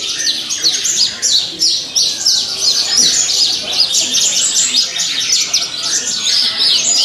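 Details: Captive Javan bush lark singing on a hanging cage pole pours out a fast, unbroken stream of high chirps, trills and borrowed phrases, several notes every second, with faint voices behind.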